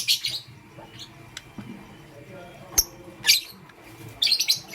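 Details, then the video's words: Pastel gray and green lovebirds in the morning: sharp, high, harsh chirps in short bursts at the start, near three seconds and at the end, with quiet low hum in the gaps. "Pastel Gray LoveBird Chirping Sound"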